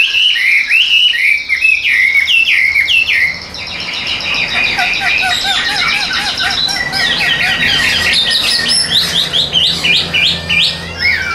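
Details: Tame caged Chinese hwamei singing a loud, varied song of clear whistled slurs, then a denser stretch of rapid, jumbled high notes and repeated short phrases.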